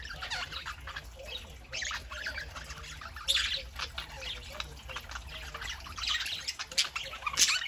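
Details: Pet parakeets chattering on a Saturday morning, a steady stream of raspy chirps and short squawks with a loud burst around the middle and sharp clicks toward the end, faint voice-like sounds underneath.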